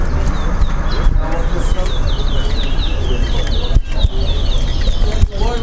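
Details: A chestnut-bellied seed finch singing in a Linden club whistling competition between two caged birds: a steady chain of short, high, down-slurred whistles, with a busy crowd of people talking throughout.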